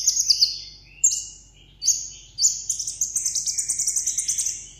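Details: Sunbird singing solo in a contest, a caged Vietnamese song bird: long high whistles sliding downward, spaced about a second apart, followed by a fast twittering run of short high notes.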